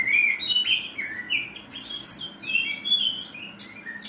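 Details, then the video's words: Rough 'tembakan kasar' song of an oriental magpie-robin, clear whistled notes sliding up and down alternating with short buzzy trills, a quick back-and-forth of high and mid-pitched phrases. "Kacer tembakan kasar"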